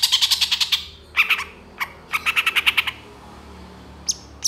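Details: Long-tailed shrike song used as a master recording for songbirds: quick strings of evenly repeated clipped notes, several rattling series, then two isolated high sharp notes.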